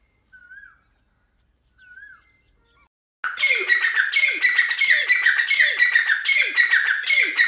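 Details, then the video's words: Grey francolin calling: after a few soft, faint whistles, loud harsh phrases burst in and repeat rapidly, each ending in a low downward-sweeping note, about three per second. "دکنی تیترکی آواز"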